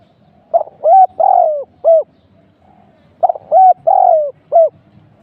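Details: Spotted dove used as a decoy during trapping, at the second trapping spot where a pair was caught, giving two coo phrases: a short note, then rolling, slightly descending coos and a final clipped coo, about three seconds apart.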